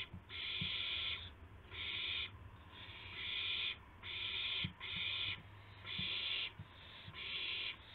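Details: Night owl recording, 2 April 2016 at 2:51 AM, one bird bringing a gopher to the other; long raspy screeches, some nearly a second, with short gaps, plus low clicks and a steady hum.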